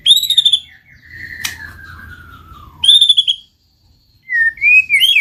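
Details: White-rumped shama song used to get a silent bird singing: clear, high whistled notes, a long gliding whistle that falls in pitch, then more bright rising whistles.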